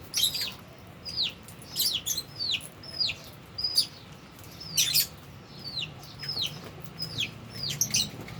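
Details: Albino and Fischer's lovebirds eating and playing; steady series of high chirps bending downward, with bursts of sharp clicks and light rustling between calls.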